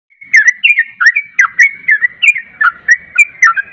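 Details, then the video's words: Caged yellow-vented bulbul singing in the rapid 'ropel' style, played to coax a reluctant bird into song: bubbly whistled phrases dipping and rising, about three per second, with a steady high tone behind them. "Mengatasi Trucuk yg susah bunyi jadi bunyi Ropel"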